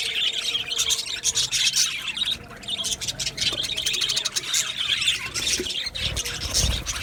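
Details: Colony of Australian budgies in an aviary, dense continuous chirping and squawky chatter from many birds at once, bursts of high twittering overlapping throughout with brief quieter dips.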